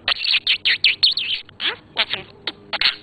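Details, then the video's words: A pet male budgerigar answering its owner's questions with "yeah" chatters in quick bursts of high, scratchy warbling and squeaky, speech-like phrases, several per second, with brief pauses between. "Budgie says yes"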